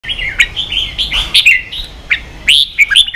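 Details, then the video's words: Red-whiskered bulbul singing in a competitive bout, caged: quick run of whistled, warbling notes around mid-high pitch with sharp rising slurs and brief clicks, phrases following each other with little pause. "Chào mào kích đấu căng lửa chơi cực hay"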